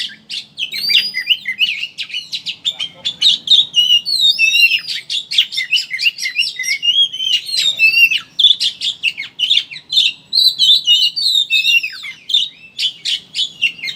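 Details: Kacer, the oriental magpie-robin, singing a ngeriwik chattering lure used to coax birds into opening their beaks and singing: fast continuous chatter of clicks and buzzy notes woven with looping whistled phrases.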